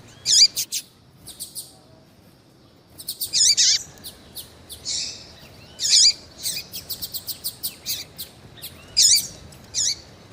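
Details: Captive female double-collared seedeater calling to stimulate a male, giving high, sharp chirps with downward-slurred notes in short bursts, some rapid stuttering series, separated by brief pauses.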